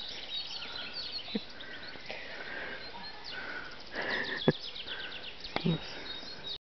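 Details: Great tit defending its nestlings at a nest box in the Askania-Nova dendrological park, giving a rapid, buzzy, churring scold of high repeated notes, with sharp taps on the box and outdoor noise behind.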